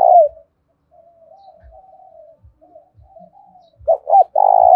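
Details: Spotted dove lure bird, thổ pha style fighting call. A brief coo tail opens, followed by a long stretch of soft low murmuring. At the end, two quick hooked notes lead into a loud sustained coo.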